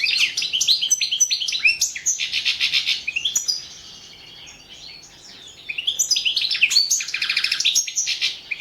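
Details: Competition recording of a European goldfinch from the 2017 world goldfinch song championship: rapid, high, liquid twitters and buzzy trills, a pause of about two seconds in the middle, then the tinkling phrases resume.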